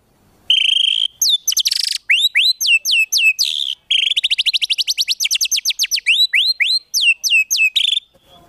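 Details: White-rumped shama masteran full of 'tembakan' fill for competition birds: a steady whistle, a buzzy burst, then long fast runs of looping rising notes repeated several times a second.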